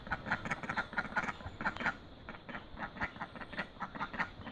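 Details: Mallard with newborn ducklings: a run of short, nasal quacks repeated about every two-thirds of a second, uneven in rhythm, over a low background rumble.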